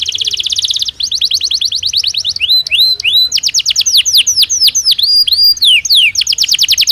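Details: Belgian canary singing naturally, a loud varied song of rapid trills and repeated sweeping whistles, some rising and some falling, changing pattern every second or two.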